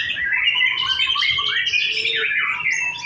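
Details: White-rumped shama singing in a practice singing contest: a short, dense burst of high sustained whistles and sweeping slurs, loud and continuous.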